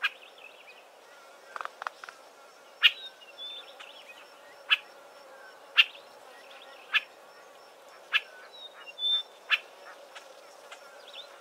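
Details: Several Southern Tchagras in a thick clump of Acacia trees give sharp, dry clicks about once a second, brief high whistles and soft chattering over low hiss; possibly a territorial dispute or juveniles, uncertain.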